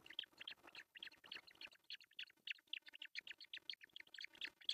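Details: Nest-camera recording of ospreys at an artificial nest in northern Satakunta, Finland, June 10, 2024, when the male arrives with a large breakfast fish: a steady, rapid stream of piercing high chirps, about three or four per second.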